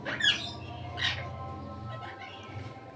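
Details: Indian ringneck (rose-ringed) parakeet, Psittacula krameri, eating guava: two harsh, grating squawks about a second apart over a steady low hum.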